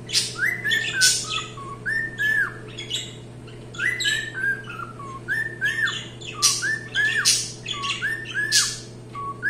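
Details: Cockatiel singing a lively mix of arched, downward-bending whistles and frequent harsh squawky bursts. The notes come in quick clusters throughout, over a low steady hum.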